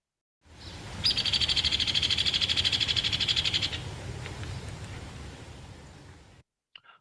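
Hairy Woodpecker giving a shrill, rapid whinny trill of harsh notes that holds a flat pitch for nearly three seconds rather than dropping; faint background hiss.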